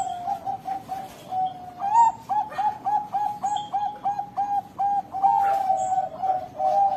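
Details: Bangkok Golden zebra dove (perkutut) singing its long, smoothly drawn-out final note. Soft coos pulse steadily, with a rolling drawn trill mid-phrase, and high chirps from other small birds are scattered throughout.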